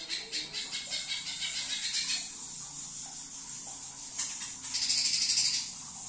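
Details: Trotol-style song of a greater green leafbird: a fast run of sharp, high, chattering notes repeated for about two seconds, a pause, then a dense shrill buzzy burst lasting roughly a second.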